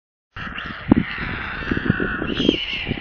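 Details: Hungry, squealing stork chicks in a nest near Kaluga, central Russia, filmed by a live nest camera. A continuous hoarse, wheezy screaming holds steady throughout, with soft knocks and rustles from the nest underneath.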